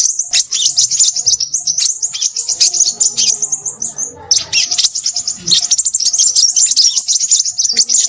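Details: Noisy Crimson sunbird singing dense, high-pitched twitters and buzzy trills, with one short break near the middle before the rapid chattering resumes at the same shrill pitch.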